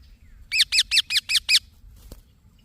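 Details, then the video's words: Young green parrot uttering six rapid, evenly spaced harsh chirps in a single string lasting about one second, followed by a faint soft click in an otherwise quiet room. "Green Baby Parrot Chirping Sounds"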